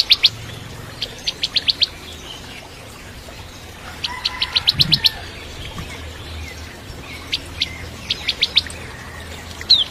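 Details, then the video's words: Bar-winged prinia as training song for shamas: several short clusters of rapid sharp chips spaced by pauses, with a low thump and faint background noise. "Masteran Cimblek Kristal Gacor (masteran murai Batu trotol)"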